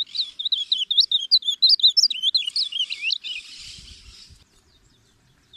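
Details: Ultramarine grosbeak singing, for teaching and calling birds: a sustained, rapid warble of rising and falling whistles lasting about three seconds, followed by a faint hiss.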